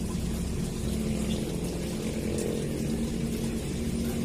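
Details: Continuous low engine or pump drone with steady humming tones, and no animal sound.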